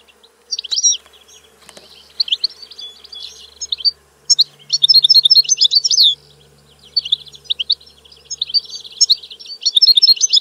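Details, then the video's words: A European goldfinch sings rapid, jangling twittery phrases in repeated bursts, each a dense cluster of high tinkling notes with brief silences between them; faint hum in the background. "Canto del Cardellino - Song of the goldfinch"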